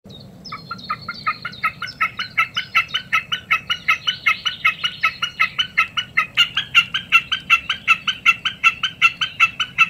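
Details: {'caption': 'Common snipe singing: a long, steady series of sharp, double-toned chipping notes, about two and a half per second, starting softly and growing louder, with a faint thin whistle early on.'}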